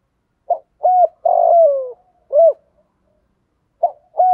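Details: Spotted dove cooing in the morning in the thổ pha voice style, calling to wild doves: low, hollow coos, two short notes, then a long drawn coo that slides downward, another short note, a pause, and two more short coos.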